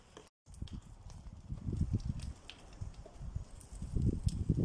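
Black woodpecker chiselling at wood: dull, irregular knocks in uneven bursts, heavier toward the end, with faint rustling behind.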